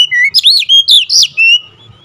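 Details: Oriental magpie-robin in agitated, fierce song: a flat whistled note, then a rapid run of loud looping and rising whistles, then a long level whistle that fades. Faint low rumble beneath.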